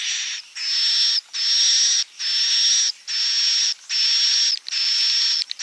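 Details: An edible-nest swiftlet roosting call gives a harsh, hissing rasp with a thin whistle inside, repeated in long, steady bursts a little under once a second.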